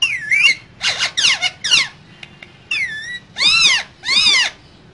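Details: Two caged green parrots talking together: a rapid run of raspy squawks and chattering notes, then two longer arched screeching calls near the end, loud and shrill against a quiet indoor background.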